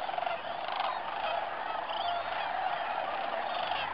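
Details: Flock of Sandhill Cranes, mostly Greater with a few Lesser, at Bernardo Waterfowl Management Area, central New Mexico, on December 12, 2009; a continuous dense chorus of overlapping rolling, trumpeting calls with no pauses.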